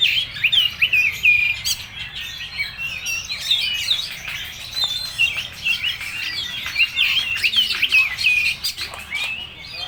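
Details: Oriental magpie-robin in full-material song, pouring out rapid, varied high whistles, short slurred chirps and twitters in an unbroken stream that rises and dips in loudness over about ten seconds.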